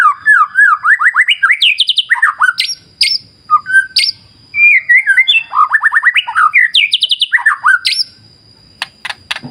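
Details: White-rumped shama song used as a lure to stimulate singing: rapid rising trills and bright whistled notes in bursts, with sharp clicks and a steady high tone between phrases.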